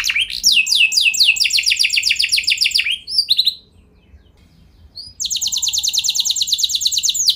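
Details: Canary delivering long rolling phrases to draw other canaries into song: quick descending notes merging into a rapid high trill, a pause of about two seconds, then another sustained even roll.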